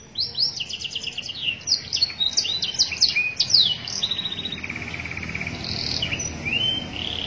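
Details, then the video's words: Canary master song for training: a dense flurry of high chips and whistles, followed by a softer even trill and a few rising whistled notes over a faint background hiss. "cuitan kenari masteran suara kenari AFS"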